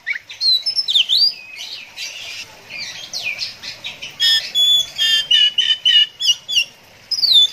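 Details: Oriental magpie-robin delivering 'konslet ngeplay adu mekanik' song: rapid, varied whistled and slurred notes, then a run of sharp, even, repeated chips at a steady beat, ending with a rising whistle.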